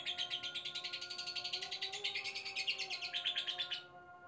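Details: Lovebird in a cage delivering a long ngekek as a new male arrives in a neighbouring cage: a fast, shrill pulsed chatter, rising slightly midway, sustained almost four seconds before stopping abruptly, with faint steady tonal hum behind.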